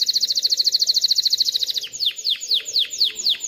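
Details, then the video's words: Canary singing to train young birds to sing and stimulate females to mate; a rapid high trill gives way to a series of sweeping downslurred whistles repeated about every quarter second. "تغريد طائر كناري خرافي لتعليم الفراخ على الغناء والاناث على التزاوج، Canary singing"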